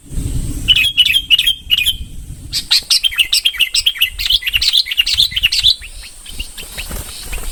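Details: Red-whiskered bulbul, bông type, singing: a few clear whistled phrases, then a lively run of quick warbling, chirpy notes repeated rapidly for several seconds over a low background rumble.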